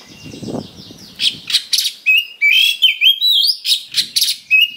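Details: Fighting-bait song of an Oriental magpie-robin (kacer): opens with a soft buzzy trill, then a fast series of loud clipped notes and bending whistles, roughly two or three notes each second.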